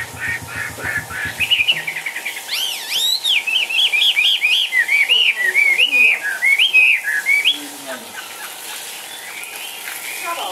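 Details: Caged Chinese hwamei, lively and dancing, starts with soft rapid clicks, then bursts into a loud series of looping whistled phrases and repeated rising-falling notes for about five seconds before fading into quiet.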